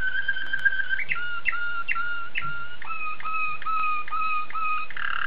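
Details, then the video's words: Singing Belgian Waterslager canary gives a series of clear piping whistles, each note stepping between two pitch levels and repeated roughly every half second in a flowing, water-like run. "Watarslager Canary Song Analysis - 金丝雀"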